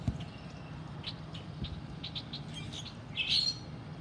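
Red-winged blackbirds give short, sharp chip notes at an uneven pace, then a brief, louder buzzy trill near the end, over a steady low rumble.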